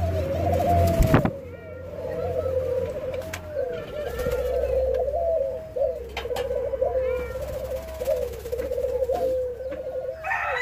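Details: Hand-fed white-crowned pigeons in Jamaica give an unbroken series of jerky, wobbling whistled notes, about three per second, with a low hum and an occasional knock.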